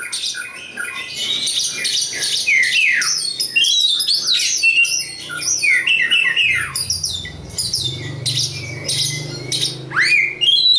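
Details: Oriental magpie-robin of local East Java stock delivering a long, dense, varied song of rapid whistles, chatters and harsh squawky notes, with a low hum in the background and a final upward-swept whistle.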